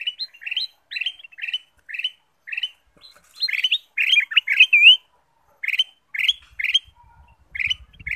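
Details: Kutilang emas bulbul song played as a lure to make other birds sing: steady run of lively chirped phrases, a denser burst of twisting whistles near the middle, faint low noise at the end.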